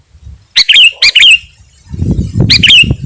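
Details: Sooty-headed bulbul singing gacor, used to lure wild birds and stir up rivals: two quick liquid whistled phrases in succession, a pause, then a third phrase over low rumbling noise.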